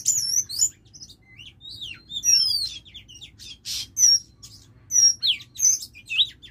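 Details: Female Oriental magpie-robin kept as a lure bird, giving a run of sharp, high whistled notes and chirps, some slurred and rising, in short bursts with brief pauses; low steady hum underneath.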